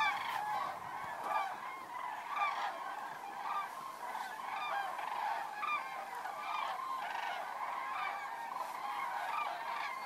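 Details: Common cranes flying in to roost on the evening of 3 October 2018 at Federow, Germany, near a bird observatory, with shallow water after a long drought; dense chorus of loud trumpeting, rolling calls from many birds overlapping continuously.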